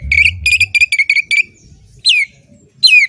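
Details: Oriental magpie-robin, a caged songbird, producing six quick harsh buzzy notes at a steady pitch, then two loud downward-sweeping whistles separated by a short gap, with low background noise.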